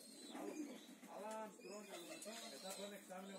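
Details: Homing pigeons giving soft, low cooing notes, several rolling coos in a row, with faint background noise in a small indoor space.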